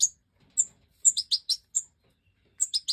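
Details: European goldfinch of the Major form, recorded in the breeding season of 2024: bright, high tinkling chirps in quick clusters of two to four notes, separated by short pauses, with a quiet background.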